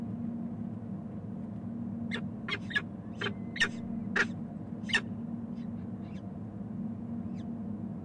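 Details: A resident male peregrine falcon at a nest in Canton, Ohio, on 29 April 2014, meeting a newly hatched chick. Sharp, harsh call notes come in a loose series of about seven over four seconds, over a steady low hum.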